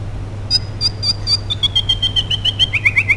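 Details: White-rumped shama song used as a lure to draw other shamas into singing; a fast series of clear whistled notes, about four per second, stepping steadily downward in pitch, with a constant low hum behind.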